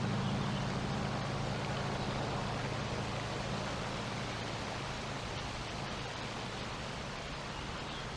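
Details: Steady outdoor rushing noise like wind or distant traffic, with a low hum that fades slightly toward the end.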